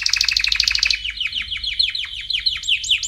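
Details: Canary song meant for training chicks: a rapid trill of repeated notes, then a run of downward-sweeping whistled notes that speeds up and rises near the end.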